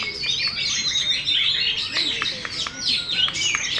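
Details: Caged champion Oriental magpie-robin, a contest bird, fanning its tail fully open while singing: dense, rapid, varied whistled and scratchy phrases, high-pitched and continuous, with quick rising and falling slurs.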